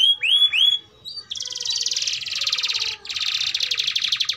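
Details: Young-canary tutor song from a lively domestic canary: a few upswept whistled notes, then two long buzzy rattling rolls broken by a brief gap.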